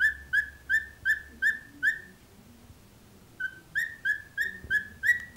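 A cockatiel gives short, bright whistled notes in quick runs, each slightly rising.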